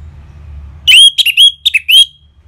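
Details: Ngeplong-style song of an orange-headed thrush, meant as a lure that prompts birds to reply and stirs emotion and breeding urge: after a near-silent start, a fast string of about seven bright, slurred whistles ending in a drawn-out note.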